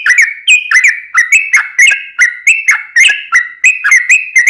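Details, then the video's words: Yellow-vented bulbul in the 'ropel panjang' singing style, played to prompt other bulbuls to call back: loud fluty chattered phrases, each opening with a sharp slurred note, repeated about every three tenths of a second in a rolling stream. "trucukan gacor ROPEL PANJANG buat Pancingan trucukan agar bunyi"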